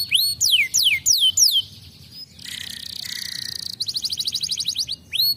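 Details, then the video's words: Canary song prompting young canaries: several steep descending whistles, a pause, a hissing buzzy segment, then a fast rhythmic high trill and a final whistle. "pancingan kenari paud langsung nyautt"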